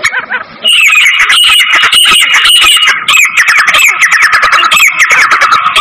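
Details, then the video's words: Female black francolin call, used to attract francolins quickly and excite them: a loud, continuous run of harsh, rasping squawk notes, densely repeated with no pauses after a brief quieter opening. "Teetar ko Jaldi bulani aur Masti men lane wali Awaz تیتر کو جلدی بلانے اور مستی میں لانے والی آواز"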